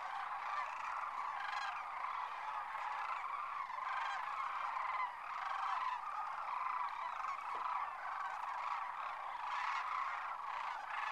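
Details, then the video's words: Thousands of sandhill cranes lifting off from their winter roost at Whitewater Draw, McNeal, Arizona; loud rolling, bugling calls rise and fall in repeated swells over a dense continuous flock chorus, one sharp tick midway. "Sandhill Cranes Liftoff"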